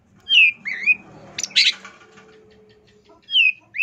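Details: Long-tailed shrike singing for a masteran recording: a few loud, slurred whistles that dip and rise, a brief harsh burst in the middle, and a low steady hum underneath.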